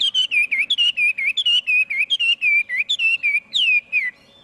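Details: Hwamei song with no background noise: a rapid run of loud whistled phrases that rise and fall, some with sharp upward flicks, ending in a long falling slur.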